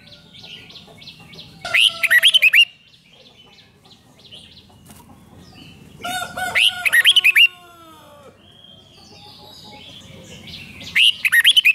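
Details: Red-whiskered bulbul singing in the rik style, played to stir up caged birds: three loud, rapid bursts of six or seven clipped, warbled notes, each about a second long, spaced several seconds apart over quiet background hiss.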